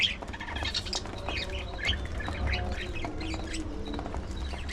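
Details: Several budgies feeding on seeds and fresh vegetables give short, scattered high chirps over soft clicking and pecking, with a steady low hum underneath.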